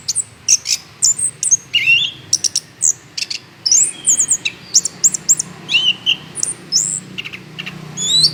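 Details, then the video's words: Orange-headed thrush singing energetically as a lure for other birds: a steady flow of high whistles, clicks and curling slurred notes with small pauses, over a low background hum. "pancingan anis kembang gacor"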